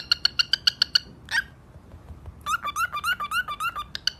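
A macaw gives a quick run of seven harsh, clipped squawks, then one rasping screech and a rapid chain of nasal, rising chatter notes.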